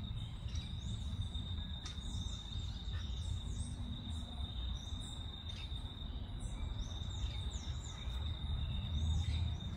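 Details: Plain parakeets, a fledgling that has just left the nest exploring a garden under its parents' supervision, give quick, shrill, high chirps in irregular bursts over a steady insect whine and a low background rumble.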